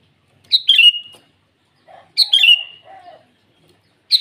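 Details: A vigorously singing sooty-headed bulbul calls rivals at morning: bubbly descending phrases about every one and a half seconds, with a soft lower warbled note between them and a third phrase starting at the close.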